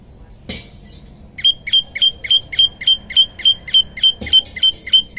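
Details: Olive-backed Tailorbird, hungry and in full voice, delivering a long rapid run of ringing, piercing notes at about three per second. A brief harsh burst precedes the series and low background hum persists.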